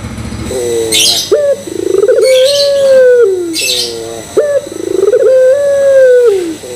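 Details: A Barbary dove coos to draw other doves into cooing: a quick stepped note, then a long level coo easing downward. Two phrases about three seconds apart, with hissy high bursts in the gaps.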